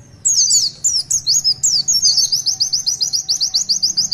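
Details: Oriental white-eye giving the long 'tulitwitwit' song of a master bird: a few sweeping high whistles leading into a brisk, regular series of short chirps.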